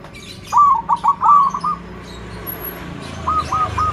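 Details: Perkutut (zebra dove) with a loud voice, used to train other doves to sing: a quick series of stuttered coos, then a softer phrase, over a noticeable low background rumble.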